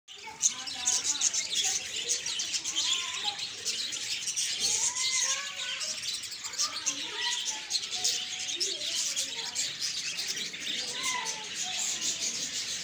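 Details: Budgerigars in a breeding setup chatter steadily with warbling, chirping calls and short rising and falling notes.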